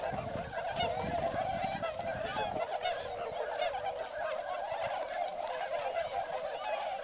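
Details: A large wintering flock of swans, mixed with ducks including many pintails, fills a rice-field area in Motono, Chiba, Japan (Oct–Feb visitors), with a constant chorus of overlapping nasal, bugling honks.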